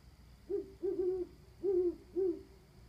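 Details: Owls calling from a rooftop on 29 October 2014, a sequence of four short, low hoots, the second doubled, spaced irregularly over about two seconds, fairly quiet against a soft background hum.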